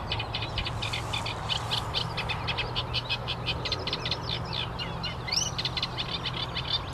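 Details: Eurasian reed warbler in song, jerky grating notes in short repeated groups with a brief upward whistled slur near the end, a constant low rumble beneath.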